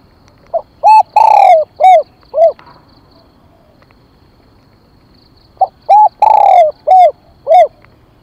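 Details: Spotted dove decoy bird calling to lure wild doves; two loud cooing phrases about five seconds apart, each of five hollow notes: two short coos, one long falling coo, then two short coos. A faint high, steady pipping sound runs underneath.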